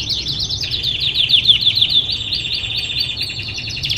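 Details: Canary song recorded to train other birds: fast, high chattering trills that switch into smooth whistled notes and then a rolling buzzy run, continuous throughout, low hum underneath.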